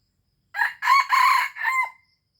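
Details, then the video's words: Red junglefowl from Aceh, recorded as a lure call for attracting birds: a single loud, hoarse crow in several linked syllables lasting about a second and a half, ending in a drawn-out, thinner note; nothing else audible. "Ayam Hutan Aceh * Pikat Hebat Ori"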